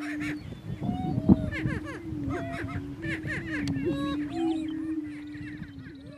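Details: Rivalry between two male greater prairie chickens on a lek in northeast Kansas: a low continuous hooting tone with scattered whooping cackles and short yelps layered over it, quieter toward the end.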